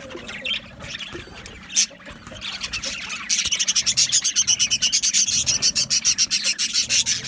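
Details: Budgerigars chattering, meant to keep a lonely budgie company: faint scattered chirps at first, then a loud run of rapid, rasping, evenly pulsed notes over the second half.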